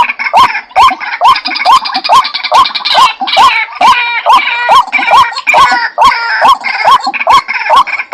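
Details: Repeated call of a white-breasted waterhen, known as pitikan sawah, used in trapping: regular rising notes spaced under half a second apart, backed by a layer of buzzy, higher chattering.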